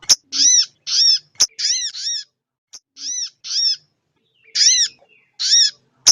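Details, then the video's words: Female crested jay calling to excite males and boost their breeding drive; rough, downcurved notes with rich overtones in uneven clusters, plus a few sharp clicking taps. "Suara sogon betina/buat ngecas sogon janta biar yaut buyi/ naikin birahi/emosi"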